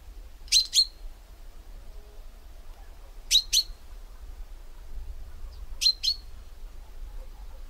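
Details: Common chaffinch call: sharp, high double notes, two quick clipped chinks with a short ringing tail, repeated about every two and a half seconds, three pairs over a quiet background with low rumble.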